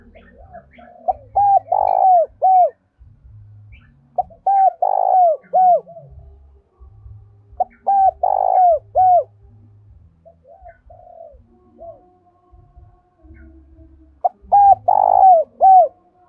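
A Spotted Dove gives soft, rolling coo phrases, repeated every few seconds to provoke other doves to call.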